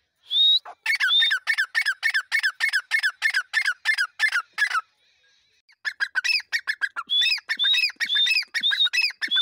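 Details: Grey francolin (teetar) in a fast run of harsh, clipped notes, more than a dozen in quick succession. After a brief pause it gives a second burst that builds into shrill rising whistled phrases at a rapid, steady pace.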